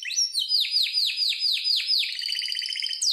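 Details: Harz Roller canary singing a training song: a run of about eight downward-sweeping whistled notes, then a fast rolling trill with a final upward note; clear, loud, no other sounds.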